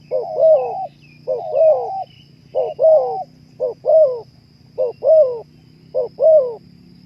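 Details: Spotted dove (terkukur) song, used to stimulate breeding drive: steady two-part coos, a short hoot and a longer bending note, repeating about once a second, with faint high chirps from other birds and low background hum.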